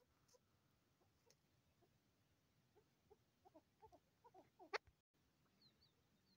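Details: Female chukar partridge (Alectoris chukar) gives about ten soft, mid-pitched clucking notes that quicken toward the end, followed by a sharp click, over a steady background hiss.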